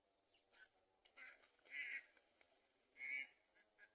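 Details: Black-winged kites tearing fresh meat to feed their young give harsh, raspy screeches, two stronger ones over a second apart among shorter fainter notes, over a low background hum.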